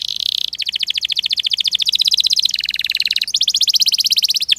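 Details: Canary singing long rolling trills of rapid repeated notes, switching between several trill types with sudden shifts in pitch, continuous and loud throughout.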